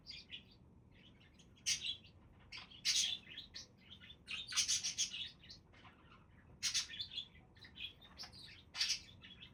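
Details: Several budgies chatter busily in dense, high, rasping chirps and warbling notes, often overlapping, in bursts with short gaps throughout.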